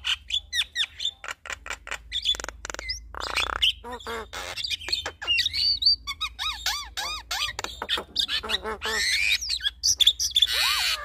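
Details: Duet between a male and a female Javan myna: rapid sequences of clicks, squawks and harsh bursts interleaved with looping whistled notes and rising-falling slurs, dense varied mimic-like phrases filling the stretch, steady low background hum.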